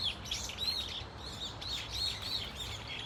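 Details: A flock of brown-eared bulbuls, known locally as hullureuk bitjuksae, gives varied shrill cries at Dunsan Grand Park, with sharp, slurred squeals tumbling over one another several times a second.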